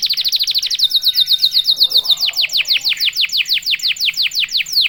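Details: Vigorously singing canary whose song is meant to stir other canaries to sing fast; a dense rapid trill gives way to a string of loud, sharply falling whistled slurs, steady and rhythmic.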